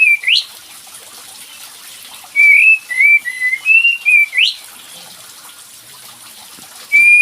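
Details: Whistled lure of a kapas tembak bird for getting a quiet bird to respond: an opening rising whistle, then a burst of slurred notes ending in a sharp upward sweep, long silence, and one last whistle.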